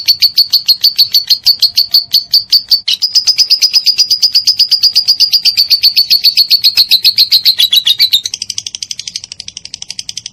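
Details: Lovebird giving a long 'ngekek' chatter, a master recording for training songbirds such as cendet, murai batu and cucak ijo: a steady stream of rapid, evenly pulsed high trilling notes lasting about eight seconds, then shifting to a harsher, quieter rattle.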